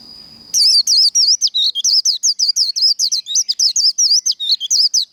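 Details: Líu đấu fighting song of a Japanese white-eye: after a faint low murmur, a fast, unbroken stream of sharp, high, wavering chirps lasts over four seconds, each note swooping up and down.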